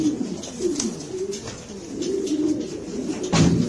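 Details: Spanish Granadino pigeons giving deep, throaty cooing in overlapping rolls, with a louder low coo near the end and scattered clicks and wing noises in the background.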